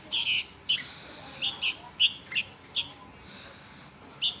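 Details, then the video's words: Nestling Sooty-headed Bulbul, hungry and begging, repeats shrill high squeaks, some doubled, with uneven gaps between the notes. "Kelaparan Anak Burung Kutilang"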